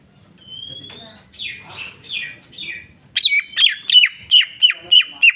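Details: Greater green leafbird singing: a long rising whistle and soft buzzy slurs, then eight loud, sharp chirps at an even quick pace over a steady whistle.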